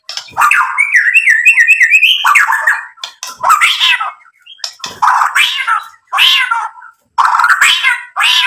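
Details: White-rumped shama used to provoke rival birds into song: a quick run of high whistled trills, then repeated harsh, scratchy squawking bursts spaced about a second apart.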